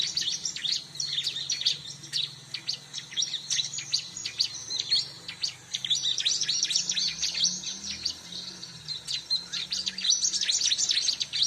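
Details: Bar-winged prinia lure recording: dense, rapid, high-pitched twittering and chirping that carries on almost without pause, notes tumbling irregularly about two per second or faster.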